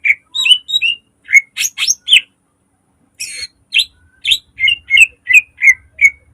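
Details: Song of a caged green leafbird used as a lure: varied whistled notes and a few harsh rasping bursts, then a steady run of sharp repeated chirps toward the end.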